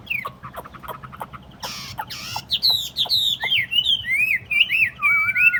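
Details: Tame caged Chinese hwamei set on a table. Dry ticking clicks and a harsh noisy burst give way to a flowing series of clear, varied whistles that climb and dip.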